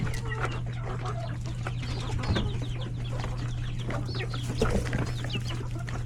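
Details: Chickens, roosters and chicks feeding at lunchtime in a coop; continuous chatter of soft clucks and high chick cheeps, pecking clicks, and a constant low electrical hum.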